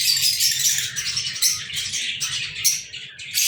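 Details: Several lovebirds kept by their owner, recorded on 14 February 2023, give a dense stream of shrill, high chirps and squeaky chatter that rises and falls in short bursts with brief pauses.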